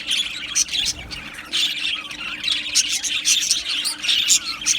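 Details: Cheerful Australian budgies keep up rapid, overlapping chirps and twittering warbles, high and bright, with brief louder bursts scattered through the constant chatter.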